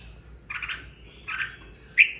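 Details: Caged red-whiskered bulbul after two weeks of care, giving three short chirpy phrases, the last one sharp and bright, against a faint low hum.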